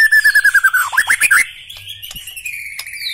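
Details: White-rumped shama with black legs singing a quick run of clear whistled notes that step steadily downward. A burst of sharp chattering follows, then a long, thin sustained whistle.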